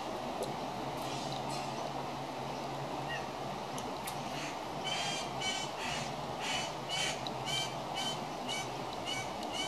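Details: A young pied currawong, one of three babies hanging around a house, gives harsh, wheezy begging squawks, about two a second, growing steadier in the second half over a constant low background hum.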